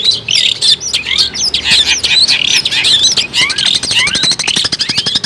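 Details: Energetic long-tailed shrike song compiled as a bird-trapping lure: varied high twisting whistles and chattering notes, followed by a quicker run of sharp ticking clicks toward the end.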